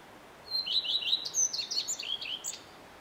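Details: Common redstart male in full song, a two-second phrase beginning with a high steady whistle, then a string of quick repeated slurred notes shifting higher and ending in scratchy twitters.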